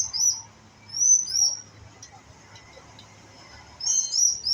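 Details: Young white-rumped shama practising its song: a few high, thin whistled phrases with quick upward and downward slurs, grouped at the start, middle and end, with quiet gaps between them.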